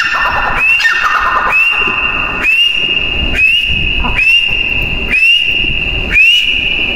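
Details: Female grey francolin giving a steady series of sharp, rising whistles that flatten into a held high note, repeated roughly once a second, with faint rustling beneath.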